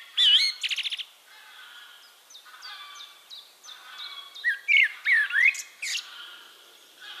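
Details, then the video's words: Eurasian blackbird singing in Castricum, Netherlands: a sharp squeaky twitter and rapid stutter open, then quieter background birds, followed by a loud fluted phrase of looping whistled slurs. "One Hour Relaxing Birdsong: Blackbird"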